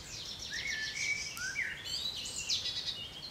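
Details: Blue tits on 6 June 2021 give dense, high-pitched twittering calls, a few lower slurred notes sweeping upward among them, all over a constant hiss.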